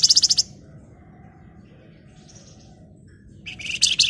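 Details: {'text': 'Golden-bellied gerygone singing in a rapid chattering style, opening with a quick high pulsing trill, falling quiet for several seconds, then ending in a dense burst of sharp high notes.'}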